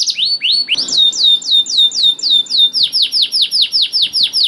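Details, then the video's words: Canary in lively song to draw other canaries into singing: loud slurred downward chirps repeated several per second, briefly changing to a higher swooping series before returning to steady chirping. "KENARI GACOR DOR INI MEMANCING KENARI YANG SUSAH BUNYI JADI IKUT GACOR"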